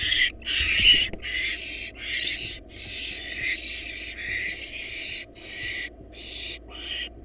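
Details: Wild barn owl chicks, four young in a nest box, begging while their mother feeds them a large rabbit; harsh, hissing screeches run almost continuously in long overlapping bursts, with low background hum throughout.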